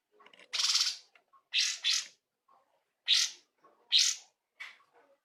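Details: Cungkok bulbul singing persistently with rich fill notes, used as tutor audio for songbird training; a string of short, scratchy, hissing bursts, some doubled, spaced irregularly, about one every second.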